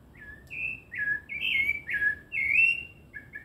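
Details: Rufous-bellied thrush delivering a continuous sequence of mellow whistled notes. Each phrase slurs from higher to lower pitch, about six phrases in quick succession, ending with two short, thin notes.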